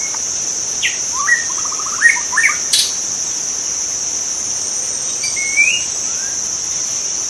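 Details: Shama singing wild in its habitat: a brief burst of rapid stepped whistles near the start, then near-silence, then one bright upslurred whistle late on, all under a continuous shrill insect hum.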